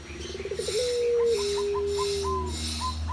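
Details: Champion puter pelung, a Barbary dove, cooing: a quick throbbing run of rising pulses leads into a drawn-out, smooth, low coo that slowly sinks in pitch for nearly two seconds, then brief higher chirps at the end.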